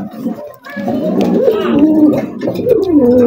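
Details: Farm pigeons beginning after a brief lull, then a swelling chorus of rolling, wavering coos that rise and dip in pitch, one phrase after another.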